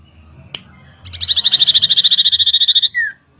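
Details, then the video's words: Song of a common iora used as a provoking lure: a click, then a steady rapid trill of high piercing notes for nearly two seconds, finishing with a short descending whistle. "PANCINGAN CIPOH LANGSUNG EMOSI"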